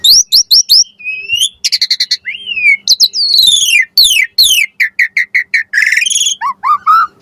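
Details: Varied fill-in song of an Asian pied starling, played as a lure to make starlings answer: quick repeated whistles, buzzy trills, slurred downward notes and a steady run of short chirps, ending in lower rising whistles.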